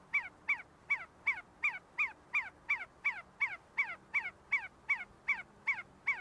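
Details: A group of see-see partridges calling while feeding and fighting at the University of Sulaimani in Kurdistan; a steady, regular run of clipped descending whistles, nearly three per second, clear against a hushed background.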